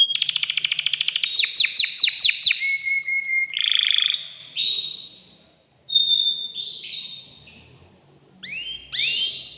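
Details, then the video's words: Male canary singing to rouse a female for mating and to teach chicks: rapid descending sweeps, a flat whistled note, short warbled phrases with brief pauses, and a final burst of quick sweeps. "تغريد ذكر كناري هائج يريد تكسير القفص يحفز الأنثي لتزاوج"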